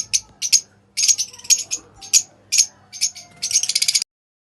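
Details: Pale fallow and dun fallow lovebirds, African lovebirds kept for breeding, chirping and singing: rapid bursts of harsh, buzzy high chirps in short clusters, some rattling runs of quick notes, with brief gaps between bursts.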